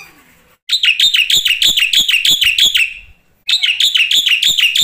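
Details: Black-winged starling song from a tutor recording used as a lure to set other starlings singing: a fast run of harsh, ringing chattered notes, about three per second. A pause follows, then the same rapid chatter resumes.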